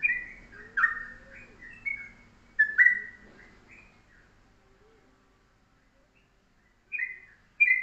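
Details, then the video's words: Yellow-vented bulbul giving a morning ropelan-style master song for tutoring birds: clear, liquid whistled notes in short groups with gaps, over a faint low hum and background rustle. "pagi pagi masteran Ropelan Trucuk dengan pendek rapet"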